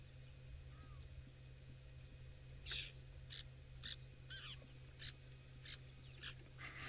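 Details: At an African waterhole, a fork-tailed drongo gives harsh, scratchy, high notes in quick bursts, about twice a second, over a steady low hum, complaining at a drinking leopard, perhaps because it wants to drink too.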